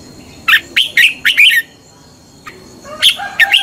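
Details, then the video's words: Red-whiskered bulbul competition song used as a lure to train and stimulate other bulbuls: bright, bubbly phrases of rich chirps in quick bursts, a pause, then lower liquid notes, with music and a faint steady hum underneath. "chào mào hót đấu"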